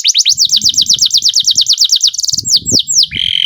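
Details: Canary in long rolling song, used as a lure to get other canaries singing: a fast run of repeated high downslurred notes, then a quicker buzzy trill and a few separate sweeping whistles.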